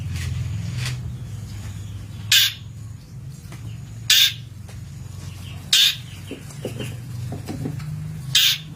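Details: Long-tailed shrike on a master recording meant for training birds: four loud, rasping bursts spaced a couple of seconds apart, separated by quieter faint notes, over steady low-pitched background rumble.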